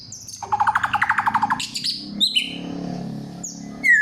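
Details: Samyong singing a loud, clear song learned from the forest: a fast burst of about a dozen rapid pulsed notes, then varied high whistles and slurred phrases, sharp upward notes near the end.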